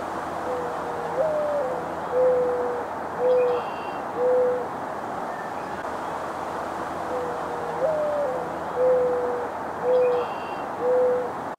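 Mourning Dove giving its soft, low, mournful cooing: a rising first note, then three steady hoots, heard twice with a faint high chirp in between.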